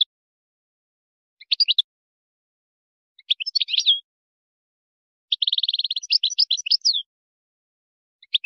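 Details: Goldfinch singing a Moroccan tutoring song for chicks and hybrids: brief chirp clusters and twitters, then a rapid rattling trill of even notes running into varied twitters, all high-pitched on silence.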